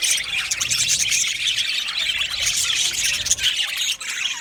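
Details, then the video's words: Colony of budgerigars chattering in an aviary, dense high-pitched warbling and chirps with squeaky whistled notes running without pause. "Budgies chirping sounds"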